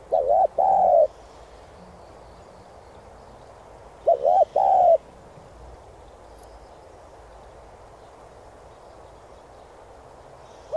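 A spotted dove gives two bursts of its cooing song, each a quick run of three mellow, slightly rising coos, about four seconds apart, over quiet background.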